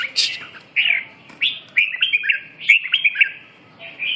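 Red-whiskered bulbul singing short, bright, liquid whistled phrases, quick and varied, about one a second, with brief pauses between them.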